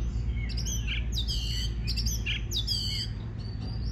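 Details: Oriental magpie-robin singing to encourage others to sing: clear sweeping whistles and fast layered notes repeated in short phrases roughly every half second, against a constant low drone.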